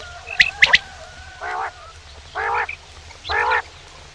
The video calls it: male quail bird sound